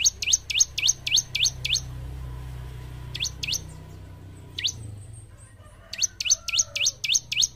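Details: Gacor bar-winged prinia song meant to push kept group birds into singing: six rapid falling chirps, a long gap with a few scattered notes, then another quick burst of five.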